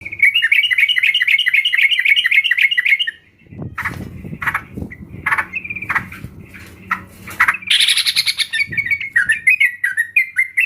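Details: Sooty-headed bulbul, used as a lure sound to get other bulbuls to sing: a fast, chattering run of bubbly notes for three seconds, then thumping broadband noise with scattered notes, ending in bright, choppy phrases.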